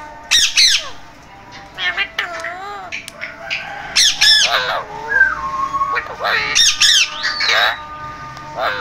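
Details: Talking parrot voicing rapid, varied word-like squawks and clipped syllables, with a brief level whistled tone in the middle and quieter gaps between the phrases.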